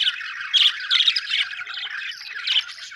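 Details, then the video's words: Close, clear budgie chirps: bright, scratchy warbled notes in quick bursts with brief pauses, and almost no background noise. "budgie chirping sound"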